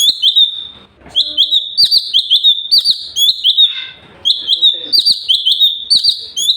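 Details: Sooty-headed bulbul (cucak cungkok), 'super gacor' tutor song for other birds: lively high whistled notes with upturned flicks in quick runs, broken by two short lulls with faint lower chatter.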